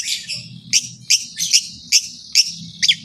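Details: Long-tailed shrike singing in a training recording meant to make other shrikes call: a rapid series of harsh, squeaky notes about twice per second, over a constant low background hum.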